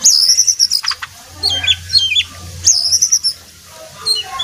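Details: Jongkangan, a brown (coklat) bird, singing vigorously: high, sharp whistled phrases with quick trills, in bursts separated by short pauses, over a faint low hum.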